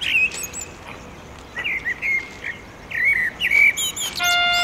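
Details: Territorial song of a male common blackbird at dusk over the town of Oradea, beside a railway footbridge: an opening fluted note, a pause, then several wavering whistled phrases ending in a squeaky high twitter.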